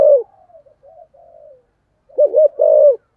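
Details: Caged decoy spotted dove in the 'giọng thổ' cooing style: one loud low coo opens, then a soft warbled murmur, and near the end a three-part coo with two quick notes and a longer held one.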